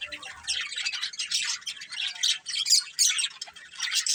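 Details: Budgies chatter with high, raspy warbles and squawky chirps, a continuous overlapping flock sound with a few sharper peaks.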